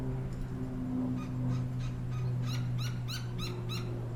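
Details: Young and adult Gila woodpecker on a backyard fence in Tucson, Arizona; a short accelerating series of loud, harsh, rasping notes about three per second, with low humming background noise.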